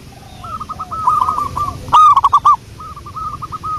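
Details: Local zebra dove from the wild, recorded as a lure. A soft run of rapid rolling coos, then a sudden loud, coarse burst of similar notes, followed by another gentle trilled series.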